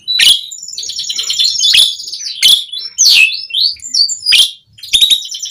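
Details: Asian pied starling in continuous song, played to prompt other starlings to sing: sharp harsh clicks and rasps alternating with high trilled whistles and quick sliding notes.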